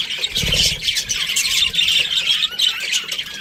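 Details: Budgies from an Australian breeding pair chirping in quick high squawky bursts, with a low engine-like rumble underneath at the start.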